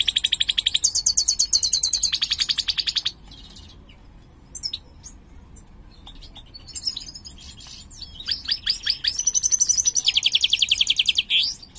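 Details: European goldfinch, mutant major type in captivity, singing: a long rapid trill of even pulses, a quiet gap with faint chips, then twittering notes leading into another fast trill.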